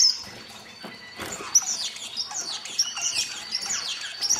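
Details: Star finches at a birdhouse in 2010, eating, make a quiet start, then a run of thin, high chirps and short downslurred notes roughly every second, with scattered clicks.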